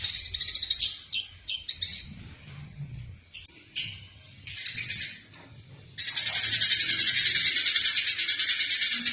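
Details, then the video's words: Eurasian tree sparrow in fighting mode, recorded as training material for other songbirds: rapid high chirps and twitters, scattered at first, then a dense continuous chattering burst in the final three seconds. "Masteran burung gereja tarung istimewah"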